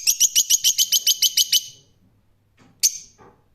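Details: Rose-ringed parakeet giving a rapid run of harsh, high screeches, about a dozen evenly spaced notes in under two seconds, then a pause and one more sharp shriek.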